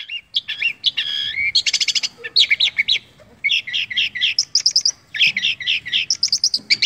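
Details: Cendet, or long-tailed shrike, from songbird hobbyists, imitating other birds in dense song: chattering buzzy phrases, fast stuttered trills, and repeated bright chirps in quick clusters with short pauses.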